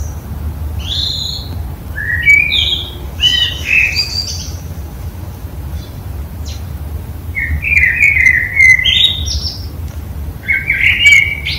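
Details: Morning song of a common blackbird in a home courtyard, described as unusual; rich fluted phrases slide down then end in thin, squeaky twitters, repeated every few seconds over a quiet low rumble.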